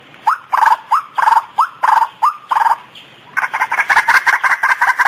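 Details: White-breasted waterhen calls from a lure recording used to draw birds closer: a run of loud, croaking two-part notes, then a quicker, higher chattering series of repeated notes with no pause between them.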